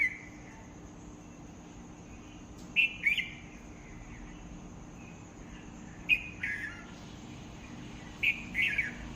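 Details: Three repeated bird phrases, each a bright high note followed by a tumbling, downward-curving warble, spaced roughly three seconds apart above a low constant hiss.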